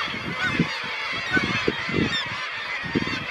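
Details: Black-legged kittiwakes calling from a busy colony at Ekkerøy, Norway, on 2 June 2018, in a dense, overlapping chorus of nasal, wailing notes, with low rumbling gusts of wind beneath.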